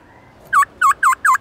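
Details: Black-throated laughingthrush in forest-voice song. Four short, evenly spaced whistled notes, each dipping then rising, come in under a second over faint background hiss.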